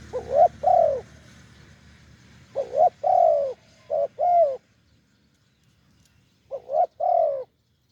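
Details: Wild spotted dove with a big deep voice, lured with a decoy: rounded hollow coos in grouped phrases of two to three notes, separated by pauses, the last phrase after a silent gap.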